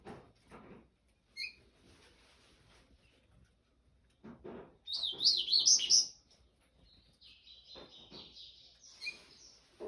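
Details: A single brisk phrase of high, twisting notes from a papa-capim in 'canto do rio' style, followed by a thin sustained warble, set among soft knocks and clicks before and after.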